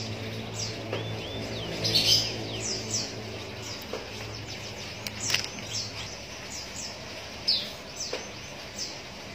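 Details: Hand-reared Javan munia nestlings fed from a reused straw give high, thin descending cheeps in scattered runs, with clicks, rustling and a steady low background hum.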